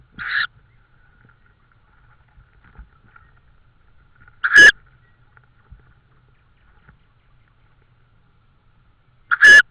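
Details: Around evening prey deliveries in Estonia, 16 May 2013, a tawny owl gives three short, wheezy, rasping shrieks spaced about four to five seconds apart, with near silence in between.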